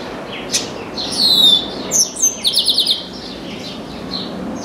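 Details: Chestnut-capped blackbird that suddenly landed in an orange tree and began singing at length: several high slurred whistles, then a quick series of six buzzy trilled notes, with faint chirps around it.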